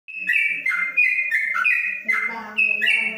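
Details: Caged yellow-vented bulbul singing the long ropelan style inside a cage cover: quick chortled phrases of rich whistled notes jumping between higher and lower pitches with no pauses, and a faint low voice near the end.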